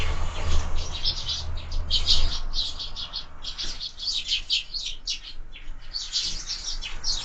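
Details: Sparrows at feeders mounted on a window during an active breakfast, giving dense, irregular high chirps several per second, with a low rumbling hum in the first two seconds.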